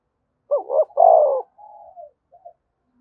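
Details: A spotted dove coo for rousing other doves to coo: two rising notes and a longer hoot, followed by a soft drawn murmur and two small closing notes; quiet background.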